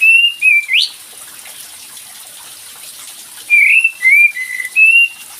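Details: Cream-vented bulbul whistles meant to prompt a silent bird to answer: two notes and a rising sweep, a long pause, then four clear flat or slightly dipping whistles with water-like hiss throughout.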